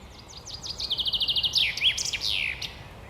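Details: Male Common Chaffinch perched on a branch in an urban forest in Poland in spring sings its full song, a bright descending run of about a dozen quick even notes ending in a flourish, over a low background rumble.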